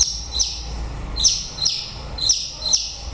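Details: End-of-breeding-season white-rumped shama producing sharp, high, clipped notes with a click-like onset, repeated about twice a second in pairs, against a low rumbling background.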